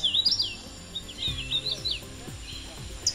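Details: Hooded Warbler, a tropical migrant at about 2,200 feet elevation in the Carolina Crescent, sings sharp, clear whistled phrases of slurred high notes, with low rumbling background noise and faint other birdsong.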